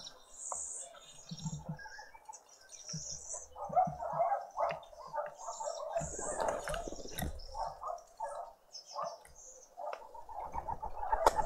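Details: Green woodhoopoe family group feeding at breakfast on a noisy spring Sunday morning in a suburban garden in Pretoria, South Africa; harsh, gargling cackles pour out in rapid, overlapping bursts, with thin high chirps from other birds above.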